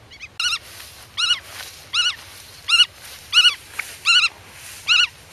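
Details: Black-tailed godwit defending its territory and nest, calling to chicks hidden in the grass; rapid series of short, wavering nasal notes, about one every two-thirds of a second, eight in a row.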